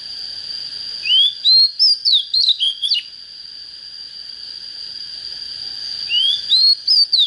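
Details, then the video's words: Oriental magpie-robin, a young untrained bird just coming into fire, with a proper voice: two bursts of clear whistled song, each a rising slur then quick looping notes, separated by a three-second pause over a steady high tone. "Chích chòe than mộc CHỚM LỬA || có chất GIỌNG CHUẨN"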